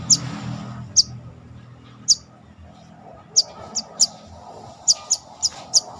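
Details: Captive brown-throated sunbird during mental training, calling with piercing high single chips that speed up toward the end into closely spaced pairs, about eleven notes in six seconds, over soft background rumble.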